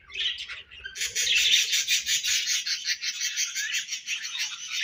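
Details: Budgerigars chattering: a few chirps, then a steady fast buzzy warble of rapidly pulsed notes, about three per second, continuing without pause.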